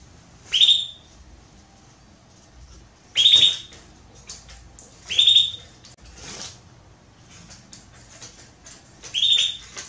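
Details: Female Belgian canary soliciting mating with four sharp, high, upswept chirps, spaced every two to three seconds, in a quiet room.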